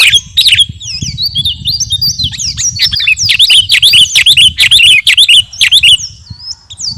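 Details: Sooty-headed bulbul of the garuda type, singing actively, in a dense, fast chattering song of sharp high chirps and sweeping whistled notes, about two per second, with faint low rumbling underneath.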